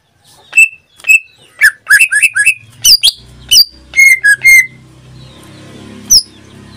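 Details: Caged greater green leafbird in strong song, a burst of sharp whistled and slurred notes in a quick sequence, followed by low background hum and a final high note.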